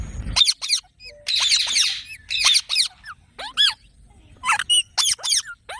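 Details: Bursts of shrill, harmonic parrot squawks and squeaks, each short and sharply curved, come in irregular clusters separated by brief silences, with one longer raspy screech early on.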